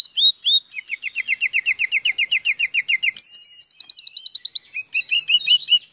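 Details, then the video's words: Oriental magpie-robin singing canary-style mimicry: a couple of slurred whistles, then a long rapid run of repeated chip notes, shifting to a higher, faster trill, and finishing with scattered whistled notes. "KACER FULL ISIAN KENARI"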